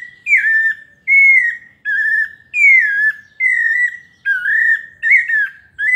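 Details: Pale-breasted thrush delivering a melodious paulista song, pure gliding whistles with occasional wavering notes, evenly spaced phrases and little other sound.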